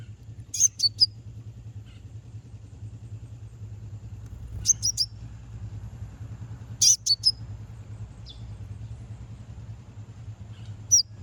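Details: Provoking song of a konin aimed at rival birds: short, high, sharp phrases of two or three clipped notes, spaced a few seconds apart, against a steady low rumble.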